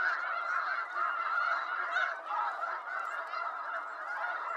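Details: Dense chorus of wild snow geese in eastern North America, countless overlapping honks blending into a continuous roar of goose voices.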